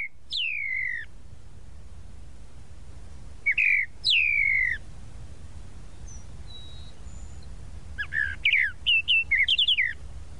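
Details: Tropical mockingbird, known in Brazil as sabiá-da-praia, singing: a few down-slurred whistled phrases spaced apart, then a quick run of short varied chirped notes near the end, over a low steady background hum.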